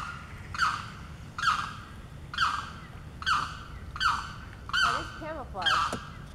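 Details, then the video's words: Wild Limpkin calling for its mate during breeding season at Blackwater Lake in Eustis, Florida: loud, harsh, wailing squawks repeated roughly every 0.8 seconds, seven in a row, with a softer wavering sound near the end. "The Limpkin calling on Blackwater Lake"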